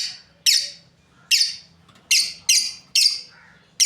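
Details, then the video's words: A breeding pair of lovebirds calls with abrupt, shrill high chirps, six loud notes in four seconds spaced unevenly, several falling off in pitch, over a quiet background hum. "Beautiful lovebirds chirping sounds"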